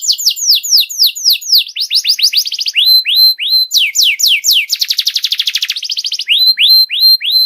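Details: Canary song used as tutoring material so young canaries learn faster, morning session in the cengkok style; rapid runs of high downward-sweeping whistles, short rising notes, and a dense buzzy trill near the middle, with no other sounds.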